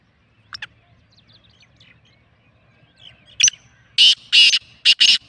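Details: Faint chirps of small birds, then a Black francolin bursts into its call: a sharp note and a run of loud, harsh, grating notes in quick pairs.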